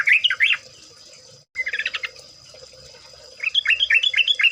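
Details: Yellow-vented bulbul (trucuk) song used as a lure recording: bursts of bubbly, warbled notes around the mid-high range, a short break, then a faster chattering series, with a steady high hum behind.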